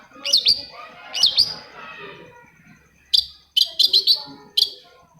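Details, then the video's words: Long-tailed shrike singing, used as a prompt to get reluctant shrikes to sing: paired high chirps, then a quick burst of four or five sharp notes after a pause, with faint background murmur. "CENDET MACET SUSAH BUNYI PASTI NYAUT KETIKA MENDENGAR TOETAN BURUNG CENDET INI"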